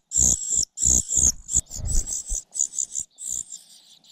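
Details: Parasitic cuckoo chick repeatedly failing to grab food and pecking its foster mother; shrill, hissing high begging notes in rapid bursts, with dull low thumps between the first calls.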